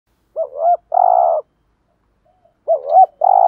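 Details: Spotted dove cooing: a quick hooked double note followed by a longer level mellow coo, the phrase given twice with a pause between.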